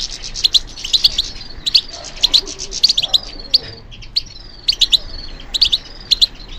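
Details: Captive goldfinch trained for song contests, producing bursts of high tinkling chirps about every second, interspersed with thin falling whistles and quieter pauses.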